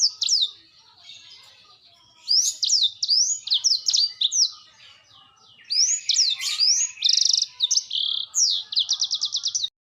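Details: Vigorous 'gacor' song from a black-throated canary: after a short opening note, long runs of high, rapid, zigzagging whistles, a buzzy trill and a closing series of quick repeated chips.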